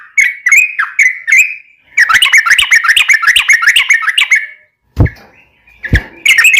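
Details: Lure recording of a yellow-vented bulbul singing a long, lively chatter meant to draw replies from captive birds; rapid bubbling whistled notes run together in a dense phrase, broken by a pause and a couple of sharp clicks.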